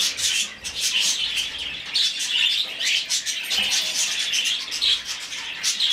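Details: Hand-fed rescued budgerigar chick begs in fast, grating high chirps, clustered in eager bursts with tiny gaps between them.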